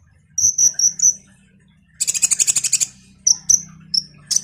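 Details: Common iora song used to trigger other songbirds: very high piping notes in quick series, interrupted by a buzzy rattling burst, then more spaced high whistles.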